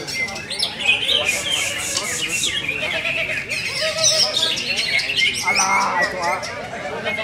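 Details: Greater green leafbird, a prize-winning bird offered for sale, delivers a busy, varied song of rapid chirps and twittering whistles that slide up and down, with strands of lower warbling beneath and some talking in the background.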